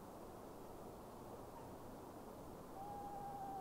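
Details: Eastern screech owl calling after dark in duck season, possibly seeking a mate: a steady even-pitched trill begins near the end and runs on, cut off, after a quiet stretch of low background noise.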